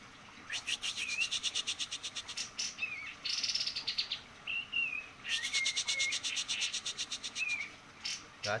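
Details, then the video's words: Lively white-eye song: long, fast chattering trains of high notes mixed with short whistled slurs, some rising and some level. The song runs almost continuously over faint hiss. "kapas tembak gacor"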